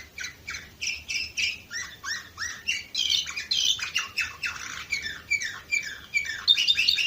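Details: Canary of the Orpheus type, recorded in 2018 in Varna, Bulgaria, singing a fast run of repeated chirping syllables, about two or three per second, then buzzy rolls and sharp high whistled notes.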